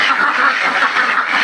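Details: Farmed ducks in full chorus, loud continuous overlapping quacks with a raspy, nasal tone and no pause throughout.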